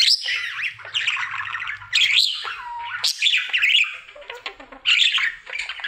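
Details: A pet male budgerigar in his daily singing routine: a continuous, chattering warble of rapid chirps, squeaks and buzzy notes with bright sliding whistles, pausing briefly near the middle.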